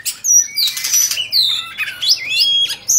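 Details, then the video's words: Caged Oriental magpie-robin ('Bạch Bạng') singing while fanning its tail. It gives loud, separated bursts of shrill whistles and scratchy trills, with notes sliding upward and a thin high note at the close. "Choè Than Bạch Bạng Hót Múa Xoè"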